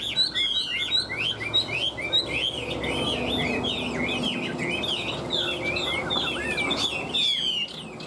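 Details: Caged Chinese hwamei, one of two birds tamed three years, in competitive song: a rich, loud pour of fast whistled phrases, swooping and slurred notes tumbling one after another without pause; faint background hum.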